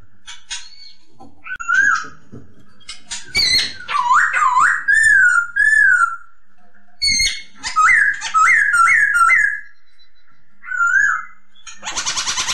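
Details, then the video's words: Masked laughingthrush singing as a master recording for teaching songbirds: looping, slurred whistles repeated in quick runs, with brief harsh chatter between phrases and a burst of hissing noise at the very end. "MASTERAN AMPUH; SUARA POKSAY HONGKONG JERNIH"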